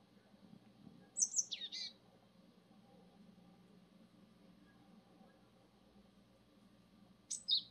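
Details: Two separate Japanese tit phrases about six seconds apart, each a quick high descending sweep of thin notes, with soft steady background noise.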